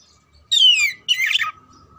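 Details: Oriental magpie-robin song played as contest training: a pure whistle slurring down in pitch, followed closely by a harsh, twittering rattle, loud and close with little background.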